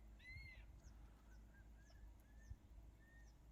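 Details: Crested serpent eagles calling to each other on Ishigaki Island, Okinawa, Japan: one loud, clear, slightly falling whistled note opens, followed by a string of fainter, shorter whistles at a steady pace, over low rumbling background noise.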